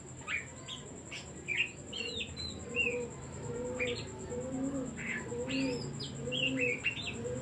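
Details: Decoy song of an Oriental magpie-robin for prompting other birds: bursts of sharp whistles and upward sweeps alternating with brief gaps, while a dove coos steadily beneath and a thin high tone runs throughout.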